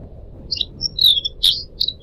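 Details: Brief pied triller phrase from a pet bird, recorded for training other birds: a few sharp high chirps and a longer descending whistle, over soft trickling water.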